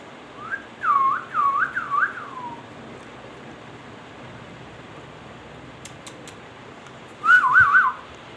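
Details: Ringneck parrot whistling a bouncing, wavering phrase that fades downward. After a long quiet stretch with a few faint clicks, a shorter trilled whistle follows.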